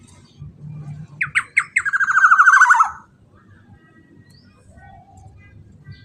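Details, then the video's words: Black-naped oriole calling, played to stir other orioles to sing. About five clipped, separated notes lead into a drawn-out, buzzy, nasal phrase that trembles and drops in pitch. Faint low hum is heard around it. "Pancingan Burung KEPODANG EMAS Super LANTANG pancingan agar kepodang lain ikut BUNYI & EMOSI"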